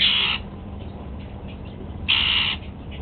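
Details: Captive male Golden-fronted Leafbird eating apple for breakfast: two loud, harsh, buzzy calls with a whistled core, about two seconds apart, over faint steady background hum.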